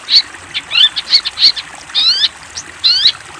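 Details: Master recording of a long-tailed shrike for training young shrikes: a run of clipped high chirps, then two longer harsh, raspy notes with stacked overtones, slightly falling, each lasting about a quarter second.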